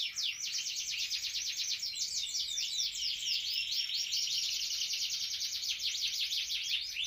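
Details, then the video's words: Canary (kenari) singing gacor: a continuous, high-pitched song of rapid trills and quickly repeated sweeping notes, steady and unbroken for seven seconds, with no other clear sounds. "Canary gacor"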